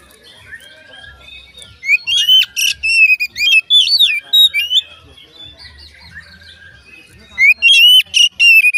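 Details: An Oriental magpie-robin sings, its voice said to get other magpie-robins singing: soft twittering, then bursts of loud whistled notes with upward and downward slurs, a quieter passage, and a final rapid burst of bright whistles.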